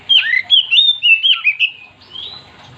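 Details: Active Oriental magpie-robin song meant to set other magpie-robins singing: a rapid, rich sequence of looping whistles and downward slurs, about seven notes in under two seconds, ending in a softer rising whistle.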